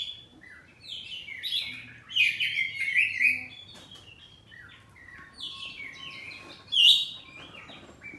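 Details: Oriental magpie-robin kept at home, kacer poci, singing ngeplong in back-and-forth exchange. A quiet start gives way to loud descending warbled phrases, a lull with a faint steady hum, then another sharp bright burst.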